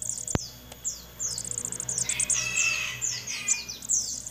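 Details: Captive crested jay nestlings calling during hand-feeding: quick runs of high, descending squeaky chirps, with a brief click early and a rougher, lower chattering layer joining midway.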